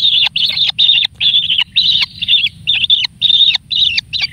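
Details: One kingfisher chick, fed generously, calling insistently for food: high, rasping, buzzy bursts repeated roughly every half second, each strong and harsh, with short pauses between and a faint low hum beneath.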